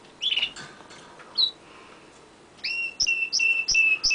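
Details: A domestic canary sings on a window ledge, heard from very close: a jumbled warbling opening, a lone high chirp, then a crisp series of paired high-and-low whistled notes repeated about three times a second.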